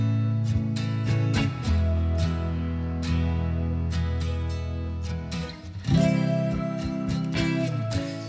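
Strummed acoustic guitar music plays throughout, with no animal sounds.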